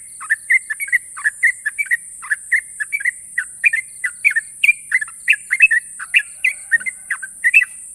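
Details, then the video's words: Sooty-headed bulbul champion bird pouring out long, sharp trills: steady rapid bright chirps, some doubled, filling the whole stretch against constant high hiss. "burung trucukan juara nasional ropel panjang dan tajam"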